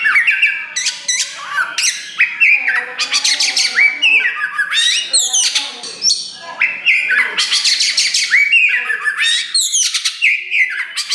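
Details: Kacer wulung, a black Oriental magpie-robin kept as a cage bird, in loud continuous song: scratchy buzzing bursts interleaved with falling whistles, a soft low murmur underneath.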